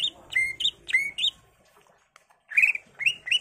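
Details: Greater green leafbird in full varied song, played to coax other leafbirds to respond: a few loud upslurred chirps, a brief pause with soft clicks, then rising whistled notes.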